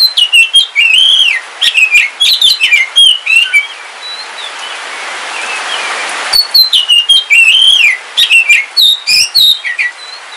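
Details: House-kept oriental magpie-robin of the black Kalimantan form singing in the rain: dense bursts of rich warbled whistles and chirps, a quieter pause with rain hiss, then another lively burst.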